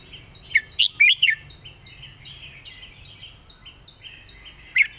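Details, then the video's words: Red-whiskered bulbul, a competition bird, singing its master song: a fast cluster of four or five liquid, warbling notes early on, then quieter soft chirps and one last bright note at the end. "ใส่หนัก จัดเต็ม"เพลงแม่บท นกแข่ง#เสียงนกกรงหัวจุก"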